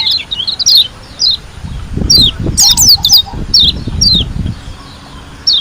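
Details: White-eye from Lombok singing: scattered sharp, high downslurred chips in small clusters, over low thumping background noise in the middle.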